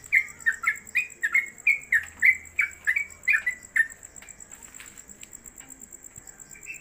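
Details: Yellow-vented Bulbul (trucuk), a caged newcomer bird hung on a pole and used as a tutor for other birds, singing long-lasting 'konslet kemedol'. A fast run of about a dozen clear, downslurred whistles lasts four seconds, then only faint room noise and ticks.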